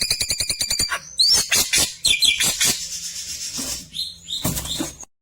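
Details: Klewer song in the 'tembakan' style, used as a tutor for white-rumped shamas: a rapid series of evenly spaced harmonic notes, then loud, varied, buzzy and whistled phrases with sharp rising sweeps.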